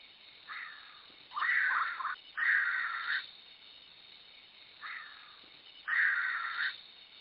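Sri Lanka Frogmouth giving harsh, grating rasps, each under a second, in loose pairs a second or two apart, against a quiet background hiss.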